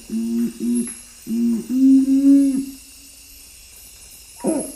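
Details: A strictly nocturnal Nocturnal Curassow from western Amazonian forest gives its low booming song, typically three notes: two short hollow hums, then a long swelling hum that fades, and a final slurred note.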